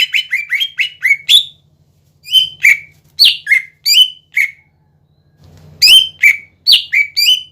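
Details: Lure recording of an energetic greater green leafbird: six quick downslurred notes, then separated loud whistled phrases rising and falling, a silent gap, and another cluster of sharp notes, with a low electrical hum beneath.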